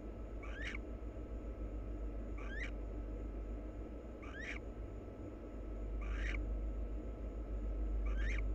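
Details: Wild barn owls, a pair preening each other. Five short hoarse chirps with rising inflection come at intervals near two seconds, set against a continuous low-pitched hum.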